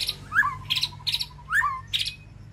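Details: White-rumped shama in a peaceful aviary calling to its flock: a few swooping notes rising then dropping, alternating with short bright high bursts, with a low steady hum underneath.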